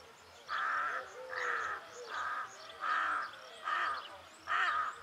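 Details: Rook calling in a steady series of six harsh, hoarse caws, each about half a second long and spaced roughly every 0.8 seconds, with a low hum beneath.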